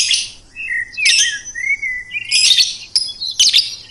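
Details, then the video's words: Bright songbird mixing harsh, high chirp bursts with slurred, mid-pitched whistled phrases that rise and fall, repeated several times in four seconds. "Suara Burung Merdu"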